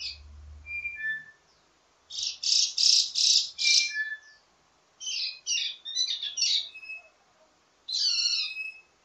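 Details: Indonesian wambi mini singing varied ledekan teasing song for training others of its kind: dense buzzy chattering bursts, a broken twittering group, then a clear descending whistle, with faint low background hum at the start.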